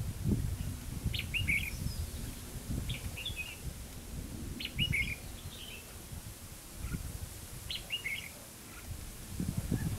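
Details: Red-whiskered bulbul being trapped at Hòa Mạc, Hà Nam, gives repeated short phrases of sharp, chirpy notes that slur downward, roughly every three seconds, over steady low rumbling background noise.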